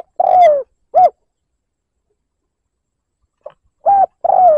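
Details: Liêu lỡ style cooing of a spotted dove lure bird meant to stir up wild rivals: a long falling coo and a short note, a pause, then a faint note, a clipped coo and another drawn-out descending coo.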